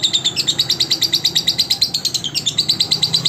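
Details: Training song of a lovebird for tutoring other lovebirds: quick, high, squeaky chirps repeated several times per second in a steady, insistent chatter, with low background hum.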